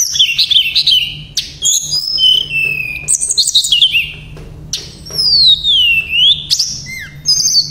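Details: Tledekan pring shortwing singing in the lively gacor style, with nembak and ngerol phrases: high whistled notes, sweeping slurs and buzzy bursts in quick, varied succession, over a steady low hum.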